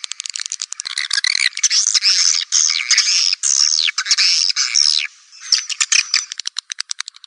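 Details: Swiftlet attraction call: shrill, slurred twittering phrases, some sweeping downward, followed by a trailing series of quick clicks that fade out.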